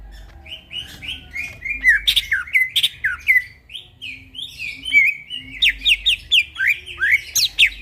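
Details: Night-time song of a greater green leafbird singing vigorously: a continuous, varied stream of slurred whistles, downward sweeps and crisp chirps, with a quickening series of sharp notes toward the end.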